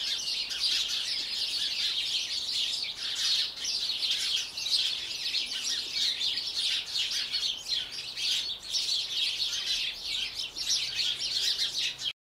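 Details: Eurasian wren singing in a garden, slow-motion recording: an unbroken stream of very high, rapid, scratchy trills and rattles lasting over twelve seconds, loud and even, with nothing else clearly heard.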